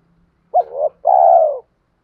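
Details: Spotted dove giving a provoking lure coo aimed at wild doves: a quick accented start, a wavering middle, then one long, even, mellow hoot, with a clear, near-silent background.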